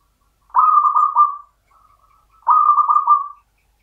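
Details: Local zebra dove, a champion bird, singing in the Mataram standard rhythm style: two soft, mellow cooing phrases about a second long, each broken into three quick stuttering beats, separated by a faint low murmur.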